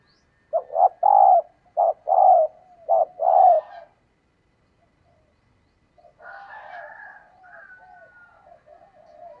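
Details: Female spotted dove calling to stir up males: loud, low, hollow coos in a stuttering burst of short and longer notes, then a pause and softer, drawn-out cooing with a faint higher tone.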